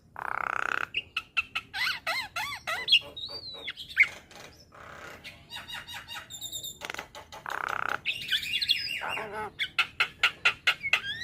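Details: Javan myna song for training young birds, with rich fill-in phrases. A long, varied medley of harsh rasps, wavy whistles and clicking chatter, with buzzy blasts recurring at the start and middle.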